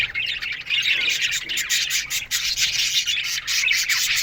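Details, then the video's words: Budgerigars in an aviary colony chirping in the morning: a dense, continuous wash of high, scratchy chirps and warbles from many birds at once, with no pauses and no other sounds. "Budgies Morning Chirping Sounds"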